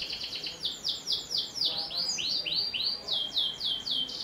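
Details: Persistently singing canary, played as a prompt for young birds; a series of loud, clear downward-curving notes delivered about five per second.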